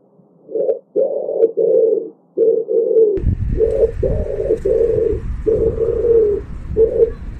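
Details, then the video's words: Low, rolling pigeon coos repeated in close succession. Partway through, a steady hiss and low rumble of background noise joins the calls. "pigeon sound"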